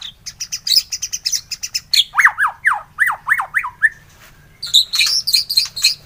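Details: White-rumped shama morning song used as a bait track to spur singing. Loud varied phrases: sharp high chips, then a run of five or six swooping, slurred whistles, then dense high twittering notes.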